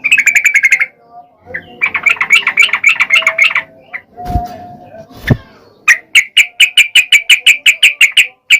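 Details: Yellow-vented bulbul song used to provoke quiet males: rapid chipping runs and a warbled passage, two low thumps, then a steady series of sharp, evenly spaced notes.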